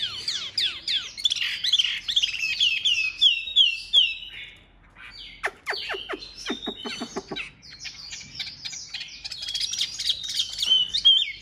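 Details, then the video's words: A Chinese hwamei kept as a cage bird sings in a fighting display: fast cascades of downslurred whistles, a pause with clicking notes, then renewed high warbling. "Bộ to đấu xòe hót rất tốt, giộng rất hay"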